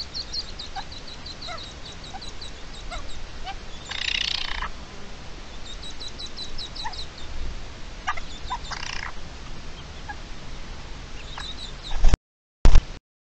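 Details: Red-legged partridge defending its chicks, 29 May 2023: scattered gruff notes and rapid series of high peeps, broken by two loud rustling bursts and a short silent break near the end.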